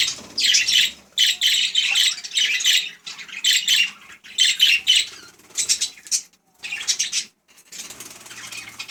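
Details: Budgies chattering in bursts about a second long, separated by short silences, each burst a raspy, high, fast babble.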